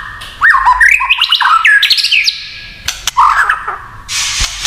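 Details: White-rumped shama singing kretekan, a style said to rile other shamas. Rising whistled notes swoop upward in a quick run, then sharp dry clicks and a lower slurred phrase, ending in a broad crackling burst.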